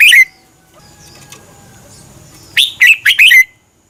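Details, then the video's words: Red-whiskered bulbul, Thai cage-bird recording for exciting birds: a short loud chirp opens, followed by a lull with faint low rumble and thin tones, then a fast burst of four bright, falling chirped notes. "เสียงนกกรงหัวจุก สำหรับต่อ หรือ เปิดให้นกคึก เสียงเพราะๆ. นกกรงหัวจุก"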